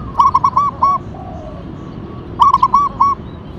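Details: Active local zebra dove, Tumbak Cucukan katuranggan type: two gentle cooing phrases separated by a pause, each a quick stutter of notes ending in drawn-out, slightly falling coos.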